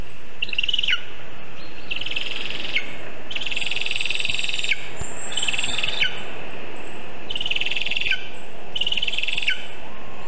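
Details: Lesser spotted eagle at a birch-tree nest in Zemgale on the morning of 19 August 2023 during a vole delivery. Five harsh, pulsed, high yelps come in a steady series, each dropping off at the end.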